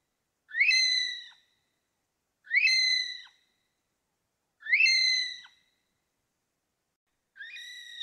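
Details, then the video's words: Okarito kiwi giving four shrill, reedy whistles, each rising then holding steady, spaced about two seconds apart against a silent background. "Okarito Kiwi Sound | Okarito Kiwi Call | Okarito Kiwi Song"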